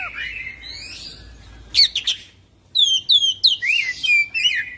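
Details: Oriental magpie-robin delivering vigorous full isian song, rolling and unbroken. A drawn-out rising whistle gives way to a burst of harsh notes, a brief gap, then rapid downslurred high whistles, about three per second.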